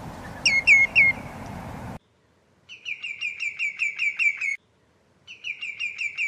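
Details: Common greenshank giving one ringing three-note tew-tew-tew, then after a brief gap two rapid runs of sharp, evenly spaced whistled notes, about eight in quick succession, in an otherwise quiet setting.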